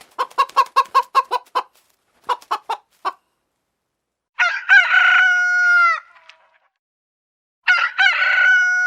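A rooster gives a burst of about eight quick clucks and a shorter run of four, then a long, strained harmonic crow, with a second crow starting at the end.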